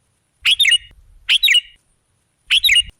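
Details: Three rich, tumbling chirped phrases from a sooty-headed bulbul, used as a lure to draw other birds. Soft low knocking noise sits under the first two phrases.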